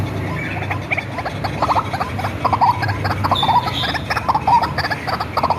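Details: White-breasted waterhen, hand-reared and tame, recorded as a lure: clustered harsh croaks in quick bursts with a few higher squeaky notes and a steady low hum behind.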